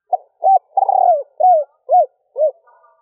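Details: Female spotted dove cooing to stir males into calling, a stuttering three-ending coo: a short soft note, a hooting coo, a long trembling buzzy coo, then three arched hollow coos in quick succession.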